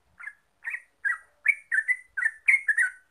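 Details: Yellow-vented bulbul (Pycnonotus goiavier) singing: separate liquid chirps that quicken into paired and tripled notes toward the end, clear and clean.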